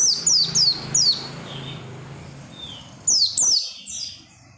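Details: Oriental white-eye sings insistently to stimulate other white-eyes: bright, high, falling chirps in a rapid run of three, a quieter stretch, then another loud pair followed by softer trailing notes.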